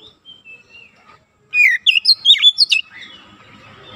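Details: Young-kacer training song of the oriental magpie-robin, targeting quick, tight 'nembak' singing: soft scattered notes, then one loud burst of rising and falling whistles in quick succession, fading into low background noise.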